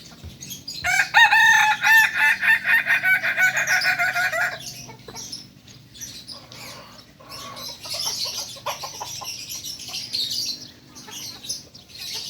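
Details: A Kokok Balenggek cock gives a loud, rapidly stepped crow of about a dozen quick, rhythmic syllables lasting nearly four seconds. Quieter high hiss and faint clicks follow.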